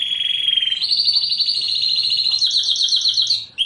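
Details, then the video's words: Canary master song used for training junior canaries: a steady trill that steps up in pitch after the first second, held as a fast rattling roll, then a brief lower note. "KENARI LANGSUNG NGEPLONG!!! MASTERANNYA AMPUH KENARI JUNIOR NGERIWIK KERAS"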